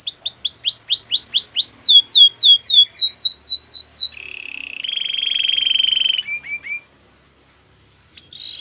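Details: Canary singing to encourage a silent canary: a run of quick descending whistled notes about four per second, a buzzy trill and a steady rolled tour, a short pause, then brief chirps.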